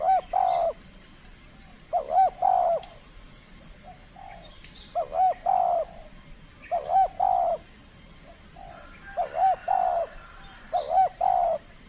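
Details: Spotted dove trained for calling contests in the Riau Islands, Indonesia, calling aggressively in its first bout: six soft, throaty phrases, each a wavering double coo then a held note, repeated every two seconds or so.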